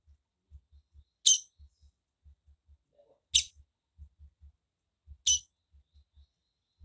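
A female Double-collared seedeater gives a short, high, buzzy chip about every two seconds, over a soft, steady low knocking in the background.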